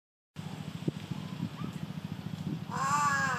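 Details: Large-billed crow at Komodo giving a single harsh, ringing caw near the end, over a steady low throbbing rumble like an engine.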